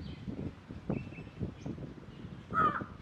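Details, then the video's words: Large-billed crow calling, recorded 4 July 2021. Harsh, hoarse caws at roughly 0.9, 1.5 and 2.6 seconds; the last is loudest and strongest. Low rumbling background noise runs throughout. "Black Jungle Crow calling sound"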